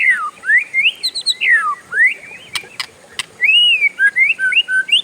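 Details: Oriental magpie-robin in long rolling song with other birds joining in: looping whistled slurs rising and falling, fluty sustained notes, interrupted by three sharp clicks.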